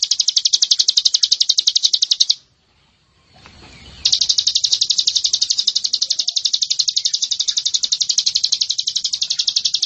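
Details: White-eye (pleci) masteran for training birds: a long, very regular rapid high trill of repeated notes, interrupted once by a brief pause with faint background noise, then continuing steadily.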